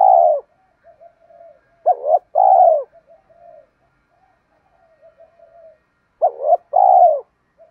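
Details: Spotted doves, both male and female, recorded to stimulate and train captive cooing doves; deep, mellow coos in paired phrases, a short note then a longer falling coo, repeating about every four seconds, with soft low murmurs between.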